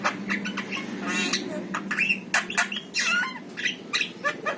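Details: Jalak kebo, the Javan myna with yellow eyes, gives rough squawks and nasal rasps broken by brief whistled slurs and dry clicks, a busy, scratchy medley over a low background drone.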